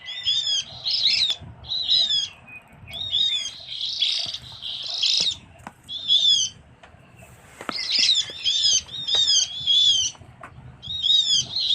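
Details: Javan grey-throated white-eye lure recording from Java: loud bursts of high, chattering notes with sharp down-slurred whistles, given in groups about every two seconds, with short quiet gaps and a low background hum.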